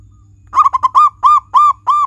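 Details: Local zebra dove singing, used as a tutor recording to prompt pet doves to sing: a run of about seven loud, rounded cooing notes. The first notes are short and clipped, and the later ones are longer and evenly spaced.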